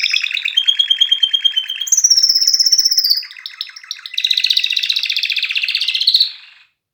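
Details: Canary 'mast' singing: quick rolling trill, a high clear whistled tour, a brief softer stretch, then a dense rapid buzzing roll ending abruptly.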